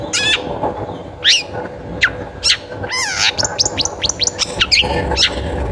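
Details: Long-tailed shrike song used as a lure to prompt other shrikes to sing: harsh downward sweeps, scratchy notes and a burst of rapid rising-falling whistles and sharp chips, over a steady low background hum.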